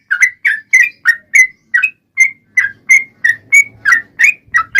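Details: Yellow-vented bulbul lure song to set other bulbuls singing. Liquid whistled notes, each a quick upslur or downslur, follow at roughly three per second; a faint low rumble sits underneath in the second half.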